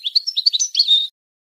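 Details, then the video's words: Goldfinch phrase from a song training recording meant to stimulate mating: about a second of quick, liquid twittering notes ending in a drawn-out, slightly buzzy tone. "improving goldfinch singing skills exercises and training"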